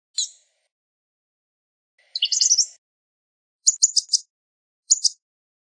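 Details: Blue-gray gnatcatcher giving a few brief high, thin notes: a single short call, then a buzzy jumbled phrase near two seconds and quick chattering bursts later, with silence between.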